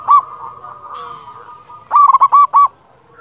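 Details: Local Zebra Dove with a big voice, used as a lure to get other doves singing: a short note, a soft sustained tone, then a quick burst of clipped, bubbling coos repeated five times.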